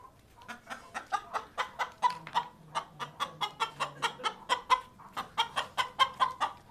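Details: Naked Neck chicken giving a steady run of short, clipped clucks, about four per second, each a brief harsh note with a clear tone, continuing without pause over a faint low hum.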